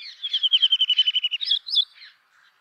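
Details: Brown rock chat song, a rapid even trill of about a dozen clear notes, then two higher squeaky notes and a fading scratchy ending; clean recording without other sounds.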